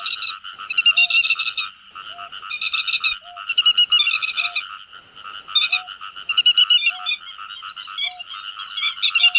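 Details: Grey-headed lapwings calling the flock, a lure recording for bird netting by night and day: harsh, buzzy, harmonic-rich calls overlapping in a dense chorus, with bursts of rapid notes and a short, faint, lower tone repeating roughly every second.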